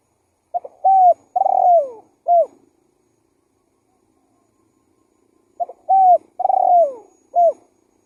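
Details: Spotted dove calling lively as a lure: two identical phrases roughly five seconds apart, each a quick stutter, a level coo, a drawn-out trembling coo falling in pitch, then a clipped final coo; no other sounds.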